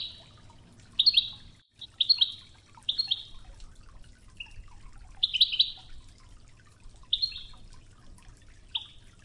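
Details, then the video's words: European goldfinch singing in the Wedani style on an original training tape called Toughza, set over murmuring river water: short bright chattering phrases with twittering notes, separated by brief pauses, over a soft low water hum. "الشريط الويداني الأصلي توغزة بنغمات خرير مياه الأنهار"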